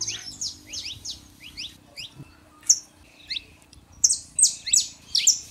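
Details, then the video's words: Male and female saffron finches give spaced rising chirps, then a loud cluster of sharp high notes near the end, to warm up a quiet canary; faint low hum behind. "canário da terra fêmea e macho pra esquentar seu canário frio"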